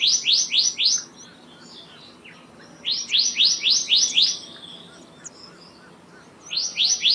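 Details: Black-naped monarch giving bursts of four to six rapid, sharp upswept notes, each burst separated by a couple of seconds of quiet, with faint chirps from other birds between the bursts.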